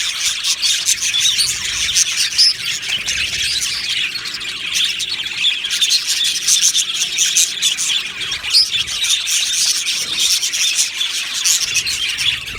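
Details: Happy budgerigars from an aviary colony keep up a steady, busy twitter of high chirps, squeaks and scratchy notes from numerous birds, evenly loud from start to finish.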